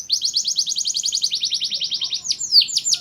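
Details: A Mushti canary sings a fast regular trill of rising chirps, about eight per second, followed by a few loud downward-sweeping whistles; the song serves to arouse females for breeding.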